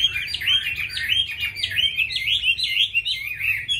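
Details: Vigorous Chinese hwamei song, a tightly packed series of loud whistled and warbling slurs lasting throughout, over a soft low hum.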